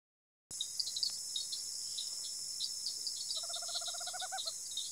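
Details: A tropical screech owl (Megascops choliba) in rural Araçatuba, São Paulo, Brazil, gives a quick, low purring trill of rapid even notes near the end, under a steady high hiss of insects.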